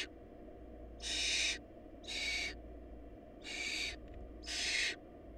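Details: Barn owl chicks at a nest with too little food: four loud wheezing screeches with uneven spacing, a faint click between the third and fourth, constant low background hum.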